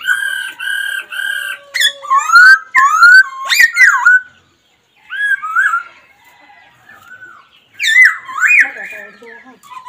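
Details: Laughingthrush giving a run of four even, level whistled notes, then a burst of sharp rising and falling slurred whistles. After a short silence come softer twittering notes and a final loud wavering phrase.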